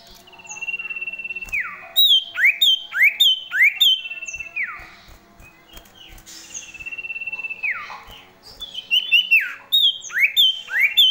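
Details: Male common iora delivering a varied song with phrases borrowed from other birds. Clear whistles swoop sharply downward again and again, interleaved with bright, quick chirped notes in lively bursts, with short pauses between phrases.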